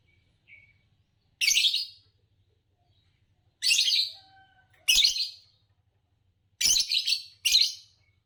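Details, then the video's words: Green Fischer's lovebird of champion class delivering a series of loud rasping chirps, two of them close together near the end, over a faint background hum. "Spectacular Chirps from World Champions - Lovebirds Chirping Sounds"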